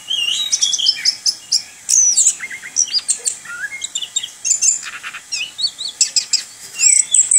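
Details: Orange-headed thrush, a kept bird, in continuous rolling 'ngerol' song: a dense, varied stream of high chirps, quick slurred whistles and clicking notes that run almost without pause.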